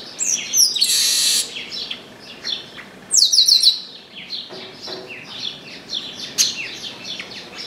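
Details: Chestnut-capped blackbird singing at length from an orange tree: a loud rasping buzz, then a fast series of thin high chips and many short falling whistles in quick succession.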